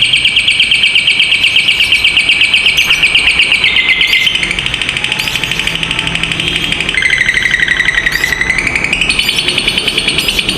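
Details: Fighter lovebird in long ngekek song, used to teach other lovebirds: a sustained shrill rattling trill that shifts pitch in steps, dropping then rising, with steady background noise throughout.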